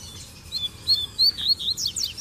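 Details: Male Rusty-collared seedeaters singing in captivity while a female is present; bright whistled phrases with rising slurs, then a quick series of steep falling sweeps.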